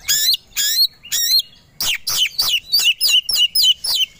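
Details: Aggressive song of a caged white-rumped shama stirred up to fight: loud repeated high whistled phrases, each dropping in pitch, delivered about twice a second in a steady series.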